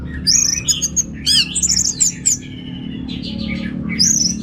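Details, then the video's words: Orange-headed thrush, called anis merah, singing in teler style with rich material: high sweet whistles and short chirps in a busy run, fading into softer twitters before a final high whistle, over a faint hum. "Suara Gacor Burung Anis Merah Teler Materi Melimpah"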